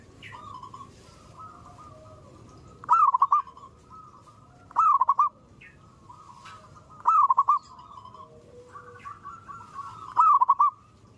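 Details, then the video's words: Morning zebra dove calling: four crisp phrases spaced about two and a half seconds apart, a held note then a rapid tumble of short coos, over quiet murmuring background doves. "suara burung perkutut gacor | zebra dove still calling every morning"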